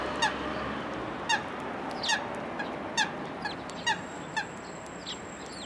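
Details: Sparrows coming to a post for food at a Tenmangu shrine, 1 February 2023: sharp, clipped chirps repeated roughly once a second, each bright and ringing, against steady background hiss.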